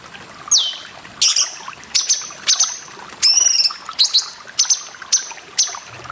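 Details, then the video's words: Cucak jenggot masteran song meant for training cage birds, set over running water: a falling whistle followed by sharp clipped notes repeated about every half second, with one rich buzzy harmonic phrase in the middle. "CUNGKOK MASTERAN PALING DICARI ❗️ DENGAN SUARA AIR"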